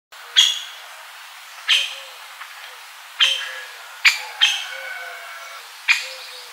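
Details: A middle spotted woodpecker, recorded in central Serbia, gives six sharp, bright 'kik' notes spaced irregularly one to one and a half seconds apart over quiet background hiss.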